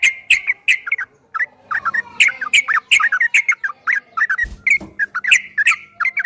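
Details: Yellow-vented bulbul delivering a long 'ropel' song: a rapid, continuous stream of bubbly, warbling notes with brief gaps and a single low thud near the end.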